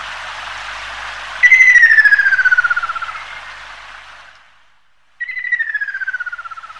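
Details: Ruddy Kingfisher (Halcyon coromanda) giving two descending, finely trilled whistles: the first slides down over about three seconds and fades, the second follows after a short silence, over a low steady hiss.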